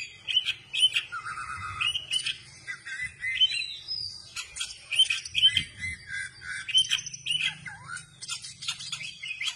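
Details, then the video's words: Oriental magpie-robin singing vigorously with its tail spread open: a rich, varied run of whistled phrases, sharp chirps and harsh squeaky notes tumbling almost without pause, with a faint low hum underneath. "kacer gacor dor ,kacer gacor buka ekor"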